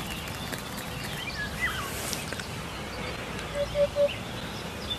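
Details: A Eurasian hoopoe (Upupa epops) sings a soft, low, hollow triple 'hoop-hoop-hoop' in quick succession over steady outdoor background noise, with a faint thin whistle from another bird earlier.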